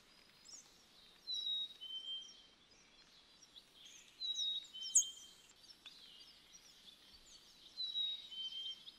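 American tree sparrow giving thin, high twittering notes in short bursts every few seconds, over a faint steady hiss.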